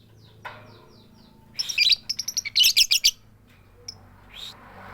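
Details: Female lovebird calling to the male with the 'tik tik keyok' call, without chatter: a burst of shrill, harsh chirps, then a rapid run of about eight loud, scratchy high notes, followed by a few faint isolated chirps against a quiet background.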